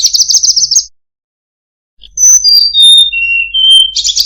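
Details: Melodious tledekan gunung song: a rapid trill of tight high notes, a pause of about a second, then a chain of pure whistles stepping downward and ending in another fast trill.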